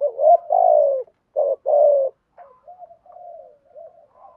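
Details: Decoy spotted dove luring and provoking other doves: three loud, full coos in quick succession, then a series of quieter, fading notes after a short pause.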